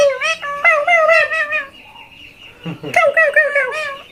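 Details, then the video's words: Talking tia pakhi, a pet parakeet, chattering in a rapid string of harmonic, speech-like syllables, pausing briefly, then resuming with another quick wavering phrase indoors. "অস্থির কথা বলে টিয়া পাখি"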